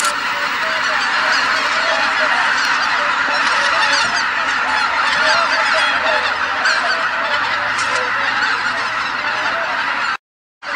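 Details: Wild geese at Izunuma, the first visit of the season, before the mass take-off of the flock: a dense, continuous chorus of many overlapping honking calls without pause, ending in a brief silence.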